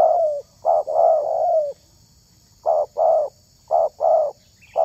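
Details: Spotted dove used to lure wild doves, giving soft repeated coo phrases: a long drawn note, then short paired coos at intervals, with a low rumbling background.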